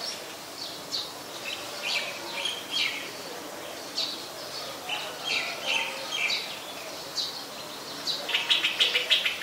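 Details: Olive-backed sunbird (Cinnyris jugularis) at a home on 25 March 2021 at 4:45 pm gives thin, high chirps in scattered bursts, ending in a quick run of sharp tsit notes over a soft outdoor hiss.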